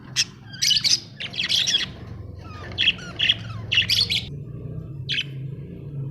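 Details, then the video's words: Budgerigars, Australian parrots, chirping in quick busy bursts of sharp high notes with squawky edges, several calls overlapping over a steady low rumble. "Australian budgie parrots l birds chirping sound"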